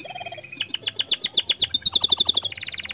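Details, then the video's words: Canary in lively song meant to get other canaries singing: a steady high whistle, then a run of rapid downward-swept notes, finishing with fast buzzy trills repeated about four times a second. "Pancingan Efektif Banyak Kenari Ikut Gacor Dengan Suara Kicauan Kenari Gacor Ini"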